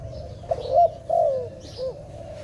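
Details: Dove in a trapping context: a pair of soft, low, drawn-out coos falling in pitch, followed by a faint short note, over steady low background hum.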